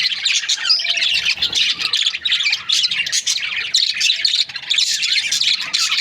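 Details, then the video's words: Breeding pairs of budgerigars give harsh, scratchy squawks mixed with high chirps, in choppy bursts with brief gaps between louder passages. "Budgies parrot chirping sound"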